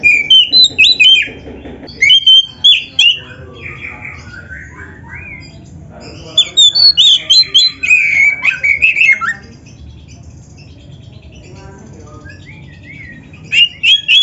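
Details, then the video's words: Oriental magpie-robin (kacer) in vigorous, varied song, used as a training master: bursts of rapid whistles and chattering notes, a long run mid-way, quiet stretches in between, and a final short burst. "MASTERAN KACER GACOR FULL ISIAN !! - Suara Burung Kacer yang cocok untuk Latihan"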